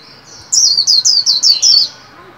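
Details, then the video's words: Caged white-eye being trained to sing, new year: soft lead-in note then six high, evenly spaced down-slurred whistles in a quick ringing phrase, ending with a lower chirp. "Vành khuyên líu hay"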